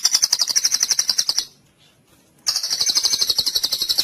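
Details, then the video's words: Full cililin trill of a white-rumped shama, a training recording for competition birds: two long, fast, buzzy high trills of evenly repeated notes separated by about a second of silence. "MASTERAN MURAI FULL CILILIN"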